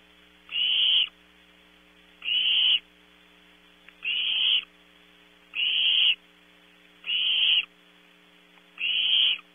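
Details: Barn owl chicks at Audubon Starr Ranch, California, filmed at 3 a.m. while competing for and eating prey. A regular series of six raspy, hissing screeches, one about every 1.6 seconds, against a low electrical hum.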